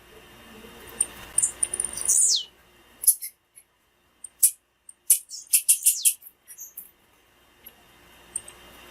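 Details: Female blue-black grassquit calling, a call used to excite males and stimulate the singing of a quiet male: a buzzy high sweep that drops steeply, then a scattered series of sharp, clicking high chips.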